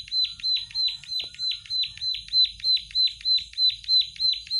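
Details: Plain prinia in energetic song, repeating sharp, buzzy, descending chip notes at a steady clip of roughly three per second throughout, with a quiet low hum in the background.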